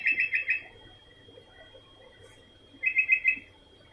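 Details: Steady calling from a sooty-headed bulbul, one lively run of four chirpy notes at the start and another a little over two seconds later, with quiet background noise and a faint continuous high tone.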